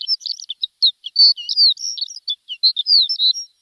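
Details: Javan bush lark singing in recording used to tutor caged songbirds: rapid, jumbled high twitters mixed with clear downslurred whistles, delivered in a continuous irregular stream.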